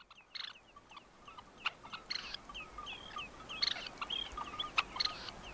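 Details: Red-necked Phalaropes (Phalaropus lobatus) in Tainan, Taiwan, 20 September 2015, give short, sharp chirping notes in a loose scattered series, with brief buzzy bursts and a faint steady background hum.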